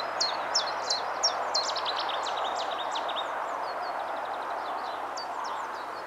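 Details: Common chiffchaff singing: a series of short, high, sharp notes repeated about three per second in the first half, then fading, over a steady low rumble like distant traffic or a train.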